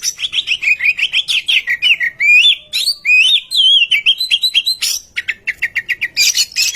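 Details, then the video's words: Lure recording of an Oriental magpie-robin singing to prompt idle birds to sing: a run of quick repeated chirps, then looping, slurred whistles rising and falling, then a fast, evenly repeated series of short notes. "Kicau Merdu burung murai kampung suara pemikat"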